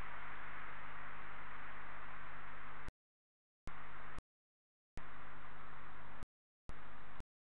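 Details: Bursts of steady hiss and low hum cut by stretches of complete silence; no animal sounds.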